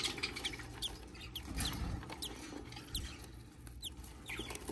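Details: Baby budgie just hatching gives a series of short, high, downslurred cheeps spaced irregularly through the stretch, over a steady low rumble and soft shuffling noises.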